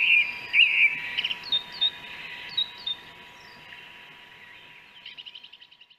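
A song thrush sings loud, varied whistled and chirping phrases, then a quieter, quick run of repeated high notes, over a faint steady hum.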